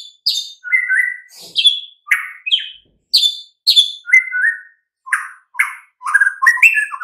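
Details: Master white-rumped shama song for getting silent, sluggish birds to sing: varied bright whistles and buzzy slurred notes in quick succession, ending with a denser chattering phrase.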